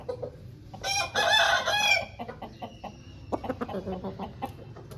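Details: Aseel rooster from a home flock gives one loud rough crow lasting about a second, followed by scattered clucks and clicks against low background hum.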